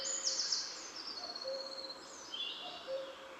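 Eurasian Wren song: loud, very high rapid trills mixed with short sharp notes, run on without a break; faint low whistled tones sit underneath.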